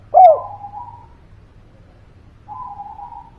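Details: Spotted dove giving a lively call used as a lure to coax quiet birds into singing. It opens with a sharp, loud note, then a steady, mellow coo held for about a second. A second softer coo follows after a pause, over a low hum.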